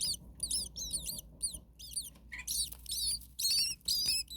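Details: Common starling nestlings in a very hot attic nest, second day at the second nest, with a parent close by: bursts of high, harsh, chevron-shaped chirps repeated about twice a second, with short gaps between bursts.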